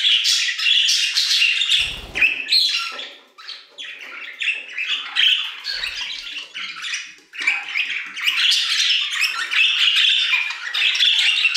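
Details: Aviary budgerigars singing, quick repeated chirps and scratchy twittering phrases from several birds, with short lulls and a faint low thump.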